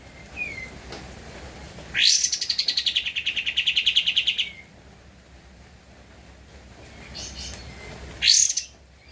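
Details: Javan white-eye song used as a master for tutoring cage birds: a loud, rapid, high-pitched trill of clipped notes running about two and a half seconds, a short second burst near the end, soft chirps between.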